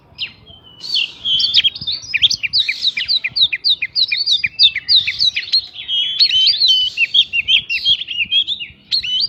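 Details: Oriental magpie-robin lure song filled with prinia mimicry, used to provoke other birds into quick response: a nearly continuous stream of fast, varied whistles and sharp chirps, roughly three notes per second, over faint background rumble.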